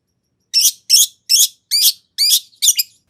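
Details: Six loud, rich chirps of a long-tailed shrike, each with a rising whistled upper tone, spaced about every 0.4 seconds in a song used to bait a rival shrike into replying.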